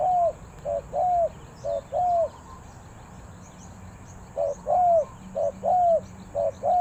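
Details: Cooing spotted dove, Ninh Thuận, in 3 kuk hoi song style: three short-plus-long coo pairs, a two-second pause, then four more pairs at a one-per-second pace, light chirps in the background.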